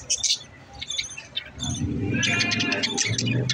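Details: Budgerigars chattering: bursts of high, scratchy chirps and warbled twitters, busy and overlapping, with a low rumbling background building through the second half.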